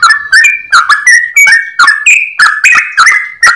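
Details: Yellow-vented bulbul's long, clear ropel song: quick bright whistles, several held slightly longer and level, each opening with a sharp click, repeated around three times a second.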